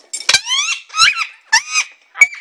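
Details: A male pet Alexandrine parakeet, in his bedtime chat before his enclosure is covered for the night, chatters in four quick, raspy, nasal bursts, some sliding up or down in pitch, about half a second apart, in a quiet room.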